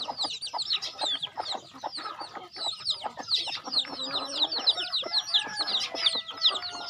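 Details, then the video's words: Farm chickens at feeding time: a dense chorus of high, arched peeps repeated rapidly by many overlapping birds, with scattered lower clucking notes beneath and a few steady tonal sounds in the later seconds. "Feeding chicken in my farm"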